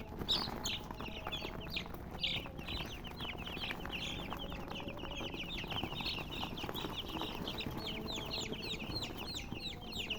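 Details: Many colored chickens peep at once, making a steady stream of thin, falling chirps that blur into a constant twittering over faint low hum.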